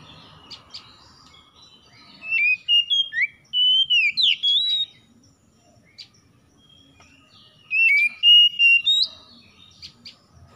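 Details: Morning-dew lure song of an oriental magpie-robin, meant to get stressed magpie-robins singing fast: two bursts of rich whistled phrases, fluty sliding notes and quick chirps, separated by a few seconds of near silence.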